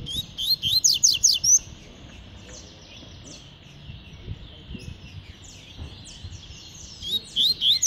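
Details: Double-collared seedeater in tui-tui song, with quick runs of sharp high notes at the start and end and faint thin chirps in between.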